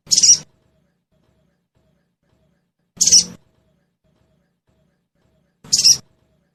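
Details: Sogon call recording played to caged birds so they respond and sing: short scratchy high-pitched bursts repeated roughly every three seconds, three in all, nothing else audible.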